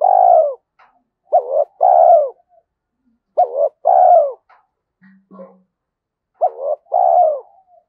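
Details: Spotted dove with a 'thổ' voice in the 'Thúc Đấu' style, suited to the forest for trapping trips. Four coo phrases come at steady intervals, each a wavering short note and a long falling coo, with tiny soft notes and a brief low thump.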